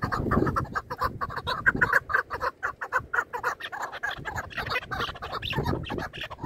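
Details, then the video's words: Hunting chukar partridges in a calling contest give fast, repeated chuck notes in a steady stream, with low murmuring and noise beneath. "Бахси Кабкои шикори Кабк Keklik که و Partridge Chukar"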